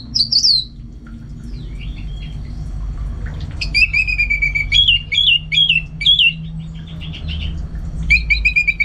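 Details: Orange-headed thrush kept at home in North Bali, singing vigorously: a high twitter, then a long sequence of loud, clear descending whistles and looping phrases, ending with repeated high notes.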